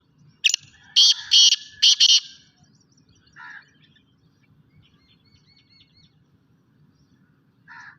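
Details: Black francolin (kala teetar), a full-size Sindhi bird: a sharp click, then four loud, harsh, grating notes in quick succession around one to two seconds in, followed by a fainter note and a final soft one; otherwise quiet.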